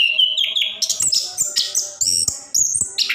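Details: Short stretch of orange-headed thrush song, plontang type, in energetic ngerol style aimed at getting quiet birds singing; high piercing whistled notes stepping upward, then brief chattering flourishes.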